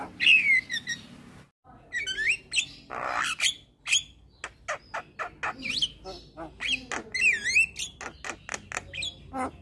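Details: A male Javan myna sings to provoke other mynas into song: descending whistles, a brief silence, then rasping bursts, sharp clicks and wavering whistled phrases in quick succession.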